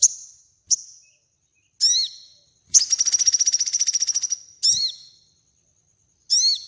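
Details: Sogon calling and singing, used as master song to train birds: sharp high downward-swooping notes spaced about a second apart, with a long rapid buzzy trill in the middle.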